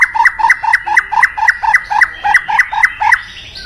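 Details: White-rumped shama song for calling in a mate: one two-part whistled phrase repeated about four times a second in a steady rhythm, over faint background hiss.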